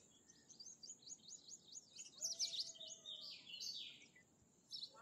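A Bimaculated Lark gives a rapid run of high, scratchy chirps and trills, with faint background hiss and a steady high whine.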